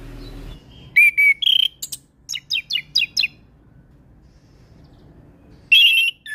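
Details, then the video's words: Orange-headed thrush singing for use in tutoring untrained birds. Rich whistled phrases lead into a rhythmic series of five or six sharp descending notes, a quiet pause, then a loud warbled burst. "Suara Anis kembang Gacor Full isian"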